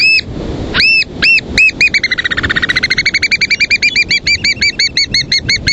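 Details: Leg-banded American Oystercatcher incubating its egg at the nest and keeping nearby willets at bay. Loud, arched, piping whistles start spaced, then speed into a rapid, steady series, over a low rumble of wind.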